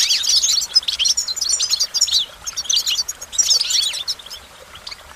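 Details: Rapid goldfinch song: bursts of liquid, twittering notes and quick upward-swept chirps, loud at the start, easing briefly mid-way, then a fresh energetic burst toward the end.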